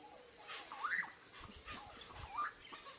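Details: Yellow-rumped cacique, noisy around the nests when it has eggs: two clear, looping liquid whistles that twist up and down, roughly a second and a half apart, with softer chatter between them in a quiet setting.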